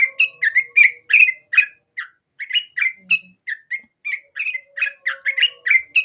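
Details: Sooty-headed bulbul singing; a lively series of short bright whistled phrases with quick up-and-down inflections, about three per second with brief gaps, and a faint low steady tone beneath at times.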